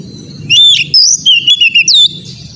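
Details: Oriental magpie-robin (kacer) song played as a training recording to make magpie-robins sing prolifically; one loud burst of clear whistled notes, sliding up and down, mixed with quick sharp chips, over a low background rumble.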